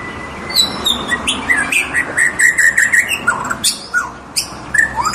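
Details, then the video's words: Tame white-rumped shama singing a loud, varied phrase of clear whistled notes and quick slurred chirps, some rising and some falling, delivered in rapid succession against a steady background hiss. "MURAI BATU JINAK MANTUL BUAT TEMEN NGOPI"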